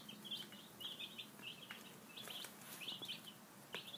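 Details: Young chickens, five days old, peeping at breakfast: clustered high chirps in short bursts with brief gaps, soft background hiss and occasional taps.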